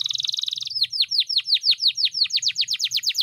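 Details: Canary agitated before a singing competition opens with a very fast high trill, then switches to loud repeated downward-swooping whistles that climb slightly higher toward the end.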